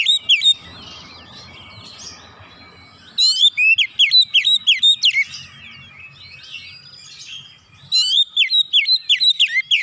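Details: Oriental magpie-robin in rapid 'nembak' song, emptying its repertoire: long rattling runs of sharp, looping whistles at high speed, interspersed with quieter buzzy twitters and mimicked chatter.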